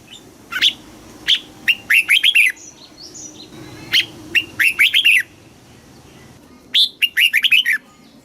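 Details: Red-whiskered bulbul, Thailand, southern master-style song for rousing caged birds. A few single clear notes lead into rapid, warbling phrases, repeated three times over about eight seconds.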